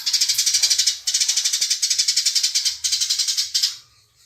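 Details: Fast, tight house sparrow fighting chatter: harsh rasping chirps repeat about four times a second in bursts separated by brief pauses, then fade out.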